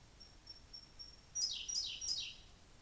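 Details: Siberian blue robin singing at Hocchi, Minami-Karuizawa, Japan, on 17 June 2018 at 3 pm: a run of faint, very high ticking notes, then three loud, rapid phrases that each swoop steeply downward.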